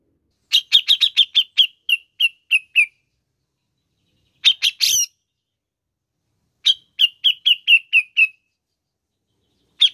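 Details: Grey-cheeked bulbul (cucak jenggot) song used to encourage a caged bird to sing: repeated bursts of rapid, bright chirps, each run slowing and falling slightly, separated by short harsh notes and pauses, against a silent background.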